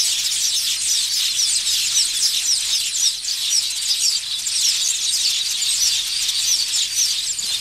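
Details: Village weavers nesting in a large colony in Africa, males in frantic display to draw females to their nests; a thick wall of shrill, buzzy chatter and squeals from many birds at once, unbroken.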